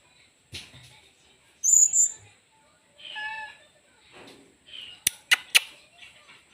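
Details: Blue-crowned hanging parrot (serindit) performing main singa singa song: a shrill high whistle, then a short harmonic call, then three rapid sharp clicking notes, with near silence between bursts.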